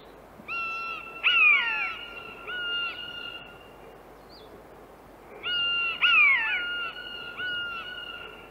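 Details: In Central Russia, a common buzzard gives two bouts of high, mewing, drawn-out cries, each with a sharp downslurred note, about five seconds apart, over a faint outdoor background.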